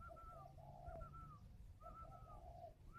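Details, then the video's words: Spotted dove kept at a breeding farm near Hanoi: soft, low coos alternate with higher drawn-out whistled notes, partly buried under steady broadband background hiss. "cu gay Hay clip 100 bộ cườm cục khủng"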